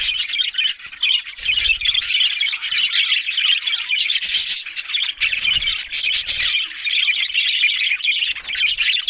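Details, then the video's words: Australian budgerigars keep up a dense, grating warble with rapid clicking, the chatter steady and loud from start to finish. "Beautiful Talking Budgies Australian Parrot Sounds"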